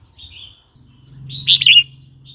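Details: Red-whiskered bulbul song, used to provoke new and wild birds or teach young birds: a faint whistled note, then a loud liquid warbled burst and a soft final note, faint low hum behind.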